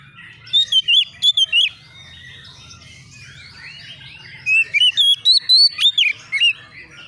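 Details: Young white-rumped shama (bakalan) answering a rival in an agitated state: two bursts of loud, clear whistled phrases with wavering, sliding notes, separated by a few seconds of softer twittering.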